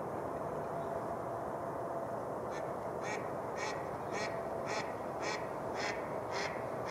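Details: Mallards in flocks on Rush Lake, New Brighton, Minnesota, gathering where spring ice has melted near shore on a warm day. After a quiet start, a run of about nine quacks follows at roughly two per second over a steady broad rushing background.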